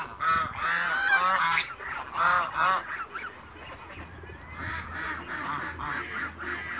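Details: Loud bursts of honking from mature and young African geese in a farm backyard in Greece, strongest at the start, then quieter, scattered calls.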